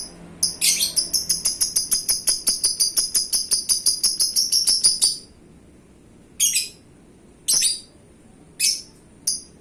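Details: Competition-grade pet lovebird singing a long, rapid, evenly ticking train of high, metallic chirps for about five seconds, followed by four isolated shrill screeches at roughly one-second gaps.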